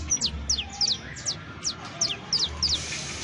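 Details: Saffron finch, known as canario criollo or basto, singing in a 'professional' song style: a regular string of thin, high, downslurred chips about three per second over a steady background hiss.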